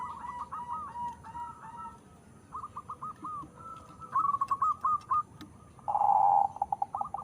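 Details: Zebra dove bred from local and Bangkok lines for a big voice; faint stuttering coos build to one loud rolling coo near the end, over a noisy background with other faint birds.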